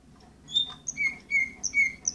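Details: Orpheus canary, 2014 bird number 24, singing a short phrase of thin, high, clear whistled notes, several held briefly at different pitches, over a soft low room hum.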